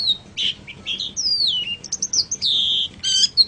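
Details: Song of a long-tailed shrike, played to teach other birds: varied whistles including a long descending slur and a sustained steady tone, mixed with harsh buzzy bursts and high chips.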